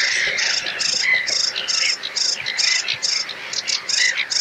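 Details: A sedge warbler in full song in a reed bed gives a fast, chattering song: harsh buzzy notes repeated about three times a second, broken by brief clear whistles.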